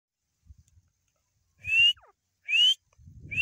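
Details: Grey francolin (Ortygornis pondicerianus) giving loud, clear upslurred whistles, each rising sharply, repeated about once a second, with low thumps and handling noise underneath.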